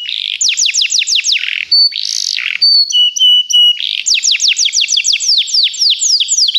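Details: Begie canary singing for song training: fast descending sweeping trills, harsh buzzy phrases, and held clear whistles, then another long burst of rapid downward-slurred notes.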